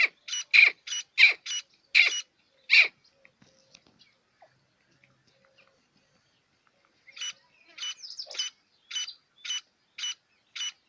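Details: Quail (batair), black or white Irani type, kept as pets and farmed in Punjab, Pakistan, where its kirk call is prized in competitions; short sharp repeated notes in quick bursts, a pause, then another steady run of calls.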